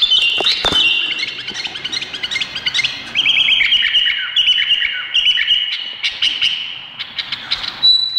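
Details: Bulbul described as Indonesian, giving a busy run of sharp chirps and short whistled notes held around one steady pitch, with a rising flourish near the start and a clear high note at the end.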